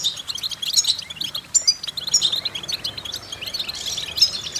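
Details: Twittering European goldfinch song played as a stimulating vocal exercise: short chirps and clear whistled notes in quick clusters, with a few sharp high accents and a louder burst near the end.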